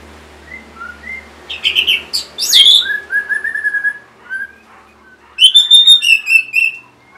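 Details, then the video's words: Orange-headed thrush singing as a lure to prompt caged birds that are stuck or reluctant to sing. Loud varied phrases of sharp slurred whistles and rich warbles, with softer lower whistles in between and a second burst near the end. "C0COK Untuk Pancingan Burung ANIS MERAH Bahan Macet Ataupun Malas Bunyi"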